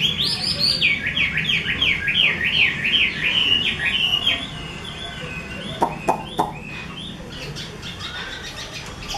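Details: A prized Chinese hwamei kept by a skilled keeper sings a rhythmic series of loud, wavering whistles in quick zigzag phrases, then softer notes broken by a few sharp clicks or taps.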